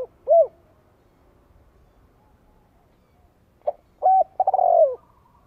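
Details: Spotted dove used as a decoy, calling to stir other doves into calling back: a short hooked coo, a pause of over three seconds, then a clipped note, a level coo and a long, fluttering, descending coo.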